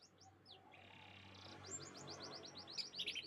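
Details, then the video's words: Canary song: a run of quick, downslurred high whistled notes, then a fast rolling series of repeated chirps that ends in a louder buzzy trill, all fairly quiet. "the beautiful chirping sounds of canaries"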